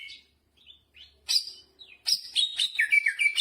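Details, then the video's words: Greater green leafbird bursting into a short stretch of song with jamtrok phrasing, scattered high notes first, then a dense rush of bright chattering whistles. "Burung cucak hijau gacor istimewa full muntah isian jamtrok"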